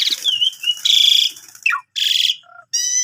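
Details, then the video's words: Javan pied starling song mixing wavering whistles, harsh buzzy bursts and a short falling note, ending with a bright ringing tone. "Jalak Suren Tio Gacor Isian Full Cocok Buat Masteran Burung Kenari"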